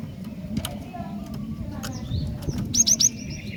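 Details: Calling female Javan sparrow aimed at males: after soft scattered chirps, a quick run of three clear, high, whistled notes near the end over a noisy low background.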